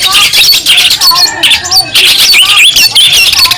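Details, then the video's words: Cendet, the long-tailed shrike from Madura, in training song for other songbirds: scratchy chattering mixed with clear rising and falling whistled slurs, delivered in fast runs separated by short pauses. "Masteran burung cendet Madura asli . Bikin emosi lawan"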